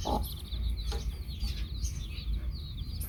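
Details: Chicks with their hen: a quiet flock of high, falling peeps chatters throughout, with a short harsh note near the start, over a constant deep background rumble.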